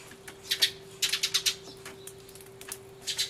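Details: Sparrows in a commotion, recorded on an Everio on 24 March 2013 beside a turtledove: short clusters of sharp, high chirps, a few notes at a time, separated by brief quiet moments.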